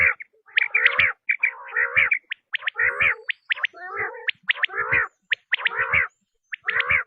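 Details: Quail sound used to draw quail in for hunting: repeated raspy, gargled bursts mixed with crisp high chirps, roughly one phrase per second, fairly uneven rhythm.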